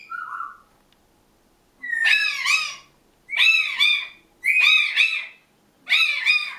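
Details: Grey parrot named Shinda gives an alarm call, yelling at someone walking past the end of the garden: four loud, harsh, grating shrieks about every one and a half seconds after a brief whistled note.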